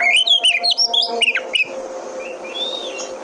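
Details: Oriental magpie-robin (kacer) lure song to spur other birds into singing: a rapid string of bright, looping whistles lasting under two seconds, then a steady low hum with a faint distant whistle.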